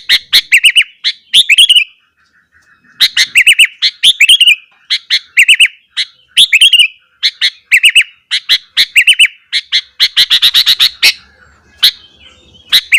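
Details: Sooty-headed bulbul in lively morning song meant to provoke rival bulbuls: fast, bubbly phrases of rich warbled whistles repeated in clusters, with a brief pause near two seconds and a denser chattering stretch toward the end.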